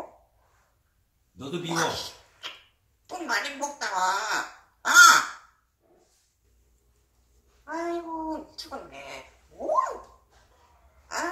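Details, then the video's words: Pet grey parrot mumbling indistinct human-like words, some pleasant and some rude, in short harmonic bursts separated by silences, with a hoarse, crow-like quality. "회색앵무새 무슨말인지 저도 몰라요~~"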